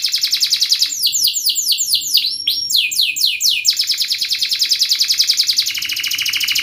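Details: Fast canary song: a quick trill, a series of swooping downslurred whistles, then a long, tight, evenly pulsing roll of high notes.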